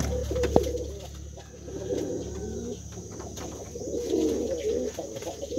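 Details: Male brown pigeon calling to a female gives low, throaty, rolling coos in quick, uneven bursts, swelling and fading, over a steady low hum.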